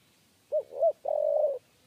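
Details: A lone three-part coo from a 'kuk 3' spotted dove during trap-cage luring: two short soft hoots, the second swelling, then a drawn-out slightly pulsing note.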